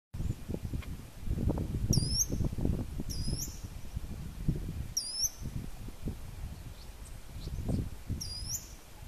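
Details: Ochre-lored Flatbill singing agitatedly while confronting another of its species, giving very high, sharp, upslurred notes, single and spaced one to three seconds apart, over a steady low rumble of wind.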